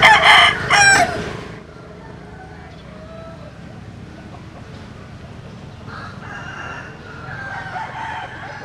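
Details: Rooster crowing: one loud, harmonic-rich crow in the first second and a half, then fades into a quiet background with faint distant sounds.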